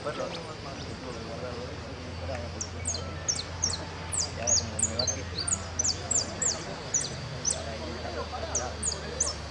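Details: A jilguero sings in the 'blanco sin cierre' class of a singing contest for the Irupé Federation cup, 22 02 15, pouring out long runs of piercing, downward-sweeping notes in dense clusters, a low droning hum in the background.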